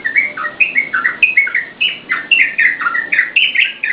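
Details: Lively Yellow-vented bulbul song meant to lure and tutor cage birds, a fast run of short liquid warbled notes repeated several times a second, steady and continuous.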